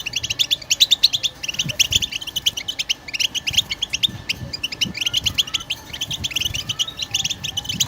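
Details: European goldfinch giving 'batbata' song to prompt other birds to sing: unbroken stream of fast, tinkling chirps and short trills, steady and lively throughout.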